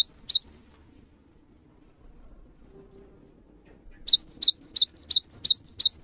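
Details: Gelatik batu, the cinereous tit, singing at length: the tail of one phrase, a three-second silence, then roughly seven brisk, upward-swinging whistled couplets repeated evenly.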